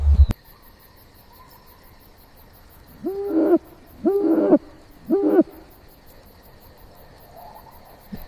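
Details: Owl hooting softly in a forest, three low hollow hoots about a second apart, each slightly rising then falling, after a sharp knock at the start; faint steady high ticking of insects throughout.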